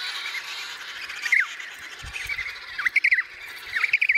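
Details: Baby emperor penguin chick giving cute chirps: short whistled notes rising and falling, in bursts around 1.4, 2.8 to 3.2 and 3.8 to 4.1 seconds, over steady hiss with a brief low thump.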